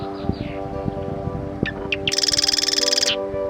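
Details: Marsh Wren active among reeds and cattails at a marsh in Eastern Washington, flitting back and forth between the same perches; a rapid, dry, buzzy rattling trill lasting about a second after a few scattered chips, steady low hum behind.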